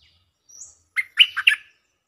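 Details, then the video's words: Lure song of a stripe-throated bulbul: a faint rising thin whistle, then a quick, loud phrase of three or four bubbly, gurgling notes, all within about two seconds. "Suara pikat merbah lekir gacor"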